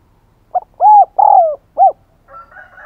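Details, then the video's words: Decoy spotted dove cooing to draw in others: a single phrase of four mellow notes, a short opener, two long drawn notes and a short closing coo, followed by a faint scratchy rustle. "Chim Cu Mồi Thúc Gáy Gọi Mới Nhất / Kích Bổi Siêng Gáy"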